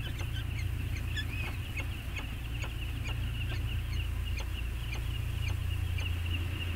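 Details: Peregrine falcon pair back on Anacapa, bonding, 14 August 2021, picked up by a nest camera: rapid run of short sharp chips repeated several times a second, under loud steady wind rumble.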